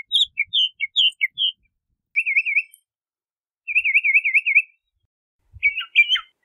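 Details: Song of the Bahama mockingbird, starting with quick varied chirps, then two long warbling trills of rapid up-and-down wavering notes, ending in a harsher burst of clustered notes.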